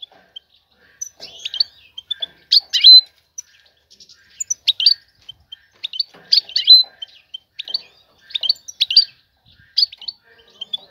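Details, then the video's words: Female European goldfinch, ready for mating, calling the male to win his attention; bright tinkling twitter phrases repeated every few seconds with short chirps between, over a quiet background. "أنثى الحسون جاهزة, تبحث عن الذكر للتزاوج"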